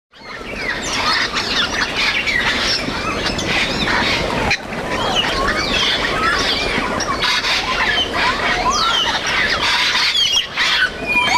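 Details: Wild grey parrots foraging and flying in Cameroon, Africa: a dense, loud chorus of many birds giving overlapping squawks, sliding whistles and rising and falling screeches, almost continuous with a brief break near the middle.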